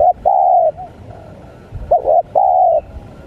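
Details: Spotted dove call used to lure wild birds: loud, mellow cooing with a short hooked note followed by a long, level drawn-out coo, the phrase given twice with a soft low note between.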